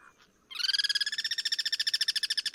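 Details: Guira cuckoo in its natural habitat, part of sentinel birds cross-singing atop a Duranta: a brief soft note, then a loud, rapid, grating rattle of evenly repeated pulses lasting two seconds.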